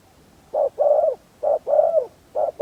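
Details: Spotted dove kept as a decoy to lure wild doves, giving low hollow coos in short phrases: a brief coo followed by a longer, slightly falling drawn-out coo, the pair repeated about once a second.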